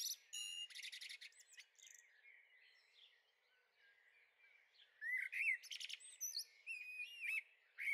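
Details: Young blackbirds in a Veluwe garden in the Netherlands, 30 April 2014: clusters of sharp high chirps and ticks, a quieter gap, then more rapid squeaky notes and short rising whistles.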